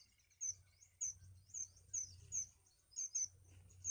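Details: Baby birds begging from their feeding mother, biting at her for nourishment; loud, sharp, very high chirps ring out in quick repeated pulses, about ten in four seconds, over a light low hum.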